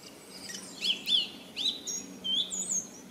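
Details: Song thrush singing: a string of short, varied high phrases, some whistled and some sharply slurred, coming in quick bursts with brief pauses between them over a faint background hum.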